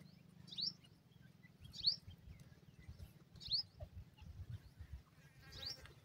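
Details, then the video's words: Partridge chicks fighting over food, giving short high thin chirps, each a brief rising-falling note repeated roughly every one to two seconds over a steady low hum. "teetar bhora ho gia ha,awaz partridge"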